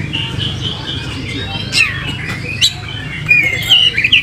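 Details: Oriental magpie-robin singing energetically while spreading its tail, as a lure recording: thin high whistles and sharp upslurred notes scattered over a steady low background rumble.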